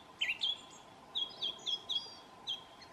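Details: Thrush in New Zealand whistling: a quick burst of sharp high whistled notes, several short repeated notes about every quarter second, steady faint hum behind.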